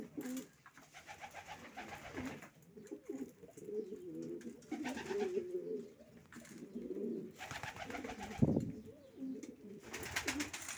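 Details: Racing pigeons murmuring low coos under repeated bursts of rustling and flapping noise, with one sharp knock near the end.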